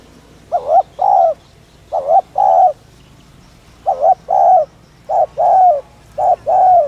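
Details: Spotted dove, also called ground dove, cooing to rouse other doves; five paired low coos, each a short wavering note leading into a longer rounded one, evenly spaced about every 1.5 seconds.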